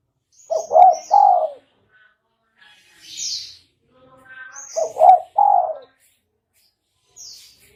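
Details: Spotted dove call used to lure birds for trapping. Two mellow three-note phrases, each two clipped coos and a longer sliding coo, come about four seconds apart, with sharp high chirps from other birds between them.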